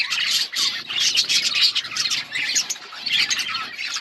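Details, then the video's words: Budgerigars in an outdoor colony chirping together: a dense, continuous chatter of warbled, scratchy notes and squawks from many birds at once, overlapping without pause. "Budgies chirping sounds in outdoor budgies colony"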